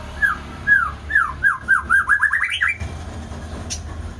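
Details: White-rumped shama giving a run of about ten slurred, downward-sweeping whistles that speed up and climb in pitch toward the end, followed by a brief sharp click over low background rumble.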